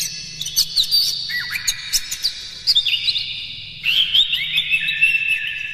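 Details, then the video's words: Oriental magpie-robin kept in a cage, with morning song used to stimulate birds and make them open their tails. It gives busy chirping and whistled phrases with quick clicks, rising into a louder rolling run near the end. "suara PAGI!! KACER Gacor Master PANCINGAN Buka Ekor KONSLET bongkar MATERI KASAR agar gacor"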